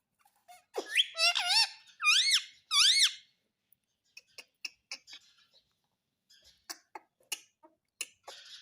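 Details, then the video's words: Talking Indian ringneck parakeet saying "mummy mummy" in four raspy, swooping syllables over two seconds, followed by a scatter of soft clicks and taps. "मम्मी मम्मी बोलने वाला मिट्ठू || Talking Parrot || Mummy Mummy Bolne Wala Parrot"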